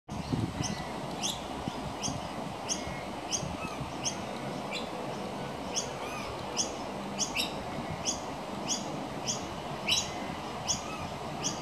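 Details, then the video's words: Juvenile pied butcherbird, one of two young around a house veranda, being fed minced beef from a railing by its mother; short high chirps repeat roughly every half second to second over a steady low rumble of background noise. "Baby Pied Butcherbird Being Fed"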